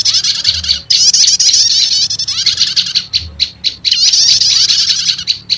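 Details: Prinia lure recording combining two prenjak call types, said to quickly draw in wild prinias: shrill, rapid chattering trills in long dense bursts, broken by short clipped chips around the middle and end.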